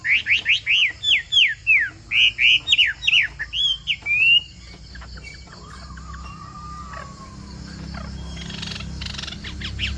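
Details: Chinese hwamei, bộ tam hoàng song style: about a dozen loud, arched whistled notes given in quick succession for four seconds, followed by a quiet wavering whistle and soft background hiss.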